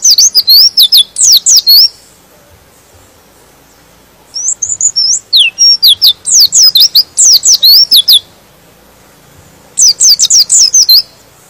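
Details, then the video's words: Song of a white-eye used to stir rival white-eyes to sing along: three bursts of rapid, high, descending chirps separated by short silences, the middle burst opening with a few flatter whistled notes. "Suara Pleci ini bikin Pleci Lain Emosi dan ikut Gacor"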